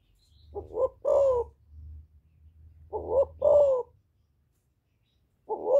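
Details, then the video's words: Spotted dove in the 'giọng thổ' voice style, calling to provoke rival wild males: two hoarse two-part coo phrases about two and a half seconds apart over a faint low hum, then a third phrase beginning. "Cu Gáy Giọng Thổ GÁY GỌI kích bổi"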